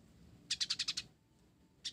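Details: Blorok sunbird singing actively, its song laced with house-sparrow-style notes: one quick run of six sharp, high chipping notes, then a lone note at the end.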